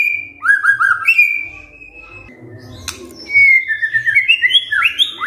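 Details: White-rumped shama kretekan, fighter style, used to prompt replies from quiet shamas: level whistles and falling slurs, a pause filled with low murmur and a single sharp click, then bright climbing whistled phrases and quick chatters.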